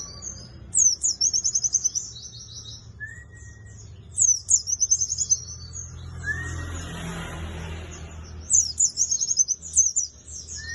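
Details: White-eye of the buxtoni type singing in a songbird contest: three bursts of high, buzzy, rapidly trilled phrases, each about a second long, separated by pauses, over a low rumbling background with a brief noisy swell midway.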